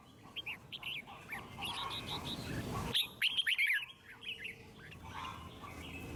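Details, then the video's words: Red-whiskered bulbul song in a wild forest style, used to stimulate other birds to sing: soft whistled phrases, a brief loud flurry of rapid notes midway, then fainter distant whistles over a background hiss. "Chim Chào Mào Hót Hay - Giọng Rừng Cực Đỉnh | Kích Thích Chim Hót Căng"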